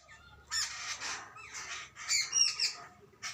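Jungle babblers give harsh, squeaky chatters in rough bursts every half second or so, high-pitched and grating, with young and adults calling together.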